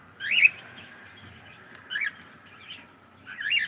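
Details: A cockatiel saying good morning gives a short chirpy phrase: a loud, warbling whistle, a softer rising note, then another warbled whistle, spaced over about three seconds in a quiet setting.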